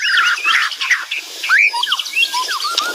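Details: Loud, lively song of a White-rumped shama, a dense tumble of whistled slurs, chirps and short upward sweeps delivered rapidly without pause.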